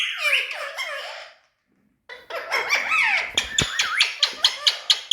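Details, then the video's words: Tame green ringneck parakeet, a talking bird, giving harmonic squawks and bent chattering notes, a brief pause, then a busy run of squeaky calls ending in sharp clipped chirps repeated about twice a second, indoors. "Tame All Talking🌷Birds Ringneck Green Parrot"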